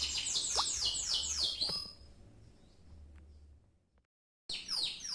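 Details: Canary singing a fast series of high descending sweeps that breaks off after about two seconds, leaving low background hum, brief silence, then the song resumes.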